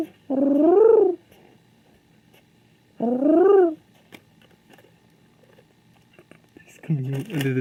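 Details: King pigeon, a male seeking another pigeon indoors, gives two drawn-out, throbbing coos about three seconds apart, each arching up and down in pitch, then lower, rougher calls with some noise.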